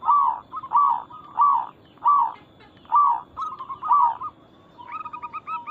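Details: Local zebra dove in energetic song used as a lure for other zebra doves: mellow rolling coos repeated roughly once a second, ending in a run of quick, higher clipped notes.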